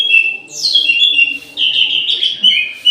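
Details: Continuous rich warbling from an orange-headed thrush in an aviary at midday, with sweet whistled notes sliding downward, then a second flowing run of phrases.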